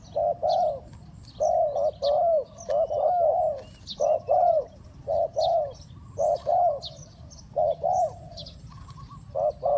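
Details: Rapid lure cooing of a spotted dove for bird trapping, a steady run of deep mellow coos in twos and threes, each phrase repeated about once a second, while small birds chirp faintly and high overhead.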